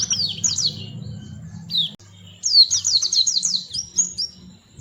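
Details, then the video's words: Melodious white-eye song: a short burst of high falling chirps, a pause, then a dense rapid series of descending twitters. "Burung Kecil Pleci Bersuara Merdu"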